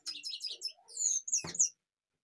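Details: European goldfinch in Kashmir giving a brief burst of rapid, high, tinkling twitter notes, followed by a clear liquid whistle and a sharp knock, all within under two seconds.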